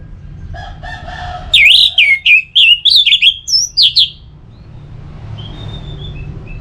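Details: Orange-headed thrush song used as a lure to get birds singing steadily in rainy and dry seasons: quiet low notes give way to a rapid run of loud, varied, slurred whistled phrases, then soft high whistles over a low background hum.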